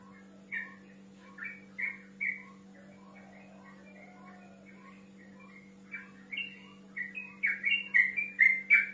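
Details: Yellow-vented bulbul male calling a rival: soft, scattered whistled notes at first, building after a pause into a louder, faster burst of bubbly chattering phrases; a constant low hum persists.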